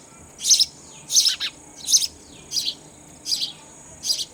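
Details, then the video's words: Baby sparrows calling as an adult feeds them raw insects: loud, high, squeaky chirp bursts, often doubled, come roughly every 0.7 seconds, with a low steady hum underneath. "Sparrow Bird feeding Babies Raw Insect"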